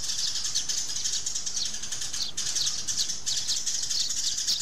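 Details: A flock of sparrows calling and squabbling, a steady stream of bright, overlapping chirps with a brief gap near the middle.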